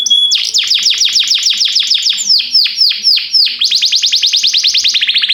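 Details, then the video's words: Training song of a canary: a quick series of descending whistled strokes that slows to broader sweeps, then speeds into a rapid run of short falling notes. "Cantar canário faz seu canário cantar"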